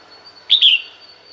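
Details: Female red-whiskered bulbul calling to draw males: a single loud, quick two-part note, bright and falling in pitch, over a faint steady high tone and light hiss.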